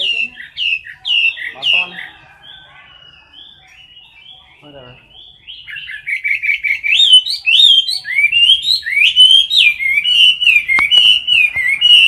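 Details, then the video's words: Competition song of a caged Chinese hwamei filmed close up: rapid clipped chirps, a quieter pause, then a loud rich run of varied whistled notes, slurred up and down and repeated in quick succession, with one sharp click near the end. "Mi mơ hót đấu cực "Đỉnh""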